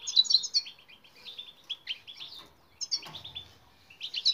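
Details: European goldfinch song as a training aid for silent birds: bright high twittering opening, then a descending run of quick chirps, a short pause, and fresh bubbling twitters.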